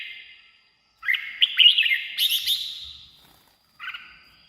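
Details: Red-whiskered bulbul song played to excite caged birds or lure wild ones: a lively burst of warbled, slurred notes around two to four kilohertz-range pitch, bright and chattering, followed by a short whistled phrase after a pause.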